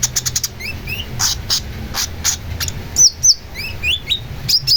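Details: Long-tailed shrike song mixing fast dry chips with clear, short rising and falling whistled notes, some slurred upward, over low background hum.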